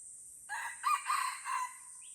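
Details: Red junglefowl in the Lamteuba forest of Aceh, Indonesia, around a fight. A harsh crow of about one second, made of several buzzy rasping pulses that end in a held note, over a steady high insect hiss.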